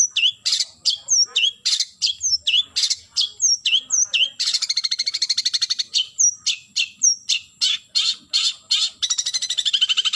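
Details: Long-tailed shrike calling to a rival: sharp, high chirps with quick downward slurs repeated about twice a second, broken by bursts of rapid chattering notes, loud and clear with no other sounds.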